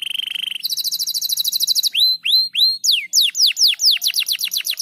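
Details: Crested canary delivering gacor rapat song: a steady whistled tone, a rapid buzzy roll, then a series of loud rising and falling slurred whistles, each about half a second apart.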